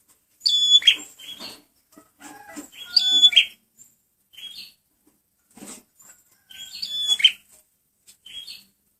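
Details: Male prenjak merah (prinia) song used as a bird lure: bursts of high, sharp whistled notes stacked with ringing overtones and ending in buzzy chips, three loud phrases about every three seconds with softer chirps between.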